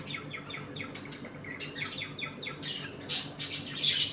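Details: Home-kept budgerigars eating and playing together; quick series of short descending chirps followed by harsher squawks, steady low hum behind.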